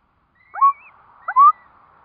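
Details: Curlew at a nest with four newly hatching chicks, uttering two short rising whistled yelps about half a second apart, accompanied by faint high thin peeping.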